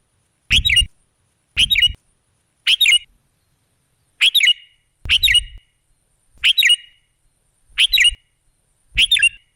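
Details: Sooty-headed bulbul (kutilang) song played as a lure to draw other birds: eight short, bright bubbly phrases of two or three quick notes, spaced about a second apart, with faint low thumps under some.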